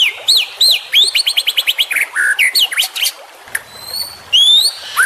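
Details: Song of a young champion white-rumped shama, played to train other shamas: quick bursts of clear rising whistles and rattling chatter, then a pause and several long, ringing, upslurred whistles.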